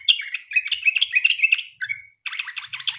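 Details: Sooty-headed bulbul in fast continuous chattering song, played as a lure to make other bulbuls sing: a quick run of bright warbled notes, a brief slurred whistle and a pause, then renewed rapid trills.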